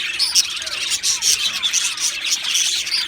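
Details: Male Australian budgerigars, two birds, give quick sharp chirps and little whistled squeaks repeated several times a second over a continuous twittering chatter.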